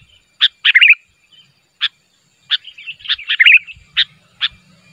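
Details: Sooty-headed bulbul calling to provoke answers from other bulbuls: sharp single chirps spaced about a second apart, mixed with two short bubbly warbled bursts, in otherwise quiet surroundings.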